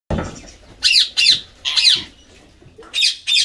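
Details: Indian green ringneck parakeet, a tame pet parrot, playing with water and taking a shower: five harsh, buzzy squawks in two pairs and a late burst, with low room rumbles between.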